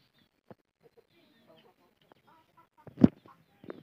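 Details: Chicken fighting with its mother hen: scattered soft, short clucks and faint chirps at irregular intervals, with a sudden loud thump near the end followed by a brief burst of clucking.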